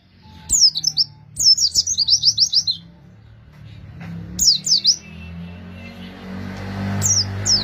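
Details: Wild-bird lure of Oriental white-eye song: a brief chirp, then a fast twittering string of high falling notes, followed by shorter bursts of two to four chirps and a rising background hiss.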